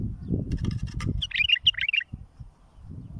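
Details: Bulbul song played for tutoring fledglings: one quick phrase of bright, warbled, bubbling notes lasting under a second, preceded by rapid dry clicks, over low rumbling background noise.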